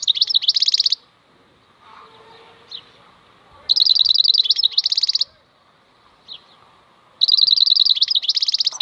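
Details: European goldfinch (maknine) in khalwi song style, delivering three rich phrases of fast, jingling twitters and buzzy trills, each about a second and a half long. The phrases are separated by quiet gaps holding single faint chirps.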